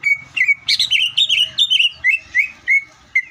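Greater green leafbird pouring out a fast, varied run of bright whistles and chattering slurred notes, ending in evenly spaced upslurred whistles about every third of a second.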